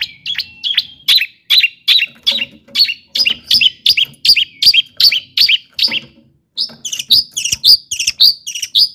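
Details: Long-tailed shrike in full song, used as a lure to rouse other shrikes into singing: harsh, scratchy high notes repeated steadily about two to three times a second, with a short pause before a brighter, sharper run of notes.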